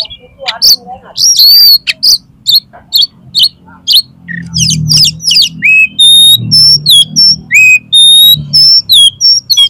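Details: Oriental magpie-robin song in the frenzied 'konslet' style, used to provoke another magpie-robin into fanning its tail: loud, fast, varied high whistles, sharp chips and downslurred notes in rapid bursts, with a low background hum.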